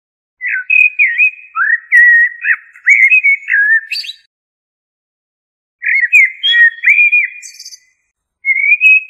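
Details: Common blackbird, known locally as shahrour, juhmumiya or ziryab, singing fluty, warbled whistled phrases that dip and rise, each ending in thin high twittering; two phrases separated by a pause, a third beginning, with no other sounds.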